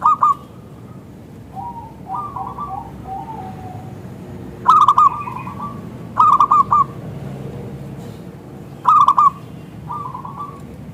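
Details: Local zebra dove singing actively with a thick, crystal-clear voice, played as a lure so other zebra doves reply; soft rolling coos alternate with three loud, staccato phrases spaced about two seconds apart.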